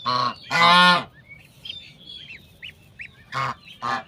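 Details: Mother domestic goose with goslings on a farm: two loud nasal honks, then soft high gosling peeps rising and falling, followed by two more shorter honks.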